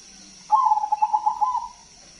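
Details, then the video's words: Zebra dove singing loudly to lure other doves: one sustained, rapidly pulsed rolling coo trill lasting over a second at a level pitch, with a steady high-pitched hiss behind. "Perkutut Crossing Gacor Suara Besar"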